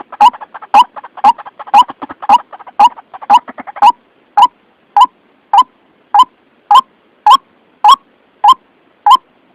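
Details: Lure call of a White-breasted waterhen for trapping: a busy cluster of quick croaks, then evenly spaced single hollow notes roughly twice a second.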